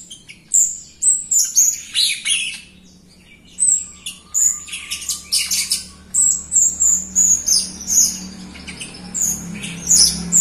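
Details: Jalak Rio myna singing loudly as a prompt for other Jalak Rio birds that are slow to sing; fast sequences of shrill chirps and high piping whistles, with a low steady hum behind.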